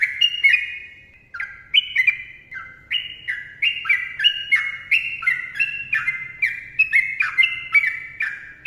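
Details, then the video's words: Lively yellow-vented bulbul giving a long 'ropel' song of dense, gurgling whistles. Short slurred couplets tumble downward and follow each other rapidly after a brief opening gap, over a faint low hum. "TRUCUKAN GACOR ROPEL PANJANG MBONANG SUARA RAPAT"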